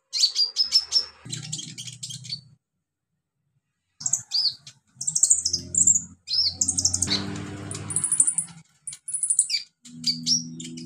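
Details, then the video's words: Wild olive-backed sunbird singing in its natural habitat: bursts of very high, thin, sharp chirps and short rising whistles in quick runs, broken by a pause, with a low droning hum underneath at times. "KICAU KONIN ALAM LIAR HABITAT ASLINYA"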